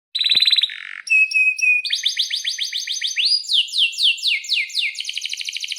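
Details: Canary in breeding condition singing vigorously, used as a lure to prompt other canaries to sing: a clear whistled note, a buzzy burst, then fast repeated downslurred chirps and rising sweeping notes in quick succession.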